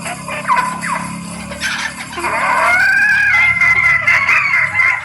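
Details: Female red junglefowl in breeding condition calling to males, recorded as a lure. A few short rising notes come first, then a drawn-out, slightly wavering higher call. A steady high hiss runs underneath.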